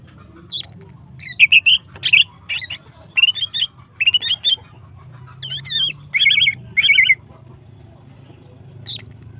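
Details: Female greater green leafbird singing energetically to stimulate other birds: dense bursts of bright squeaky, warbling notes, several paired phrases near the end, over a faint low hum.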